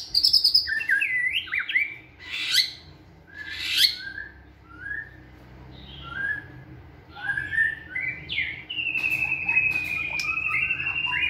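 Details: Energetic white-rumped shama song in a flight cage while building stamina: high thin notes, sliding whistles and harsh bursts, varied phrases with pauses, closing on a long, bright, steady whistle.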